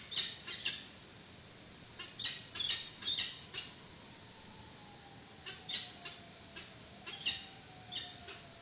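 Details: Peregrine falcons at a nest during a chick's first feeding in 2019, filmed by a live webcam as an adult brings a yellow bird. Irregular high, rasping squeals come in clusters, and a faint low tone slides downward underneath.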